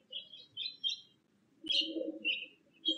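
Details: Bewick's wren at a nest box while bringing nesting material; high, short chirped notes in uneven bursts, with a sharp click midway and a low murmuring hum underneath.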